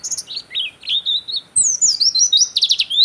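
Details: Gacor Oriental white-eye (pleci) song, ngeplong style, for masteran or luring other birds: high whistled phrases, then a long descending twittering run and fast rattling trills over faint background hiss.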